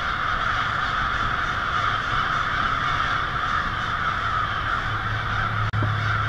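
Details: American crows in a huge winter flock settling onto Mary Avenue, Lansing, Michigan, at nightfall on February 1, 2016; steady overlapping cawing fills the air, broken by one brief dropout near the end, with low traffic hum.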